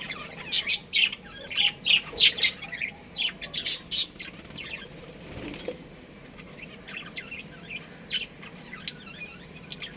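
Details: Breeding pair of pet budgerigars kept at home: a burst of sharp, high chirps and squawks in the first four seconds, then quieter scattered chirping over a low steady background hum.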